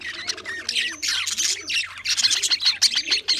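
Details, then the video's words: English budgie, Australian type, February 14, 2024: rapid, continuous warbling chatter of squeaky chirps and clicks, with a faint steady low hum and soft low rising-falling tones behind it. "Australian English budgie funny video"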